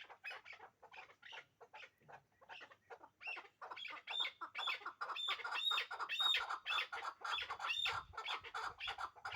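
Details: A captive pair of hybrid chukar partridges kept for breeding: calls start as scattered soft clucks, then build into a loud, fast series of ringing chuk notes with sharp upward flicks.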